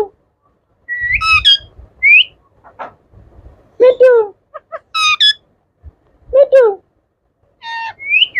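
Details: Talking pet Indian ringneck parakeet from a yellow, blue and green group mixes high rising whistles with mimicked speech syllables and short chirps, spaced irregularly, with faint low room noise between the utterances.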